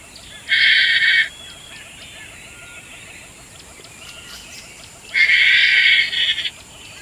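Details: Painted stork (Mycteria leucocephala), one of a preening pair, giving two harsh, buzzy, high-pitched bursts, each about a second long and roughly four seconds apart, over a faint steady hiss.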